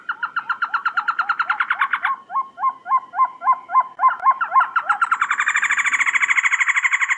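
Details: Rapid stacked chatter from a trogon gives way to a cleaner, steady run of hooked notes about three per second, then a dense rolling series returns with a high whining tone over it.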